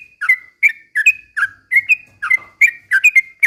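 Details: Sooty-headed bulbul lure song: clear whistled phrases with a downward flick and a sustained tail note, about three per second, with faint low rumble beneath.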